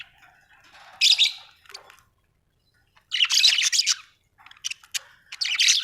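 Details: Pet budgerigars at home: bursts of loud, scratchy, buzzy chatter with squeaky notes, separated by quiet pauses of one to two seconds.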